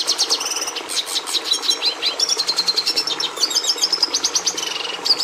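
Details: Red siskin (Carduelis cucullata) pouring out an unbroken, fast twittering song with high trills, stuttered chirps and short buzzy runs, loud and close.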